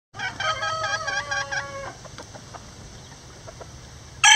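A bantam rooster gives one high, reedy crow lasting nearly two seconds, broken into several quick syllables; then faint farmyard noise and a brief sharp sound at the end.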